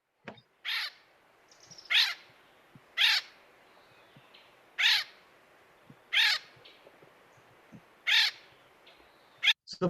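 Acorn Woodpecker giving a series of harsh, nasal, raspy calls, about one each second, seven in all, over a low background hiss.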